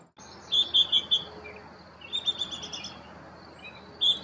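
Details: Baltimore oriole chicks leaving the nest: high, clear chirps in quick bursts of four or five notes, then a pause and another burst, over a soft background hiss.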